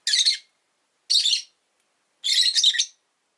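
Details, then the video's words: Indoors, one of five rosy-faced lovebirds caged by a window gives three harsh, scratchy shrieks about a second apart, the last one longer and doubled. "Lovebird Chirping Sounds"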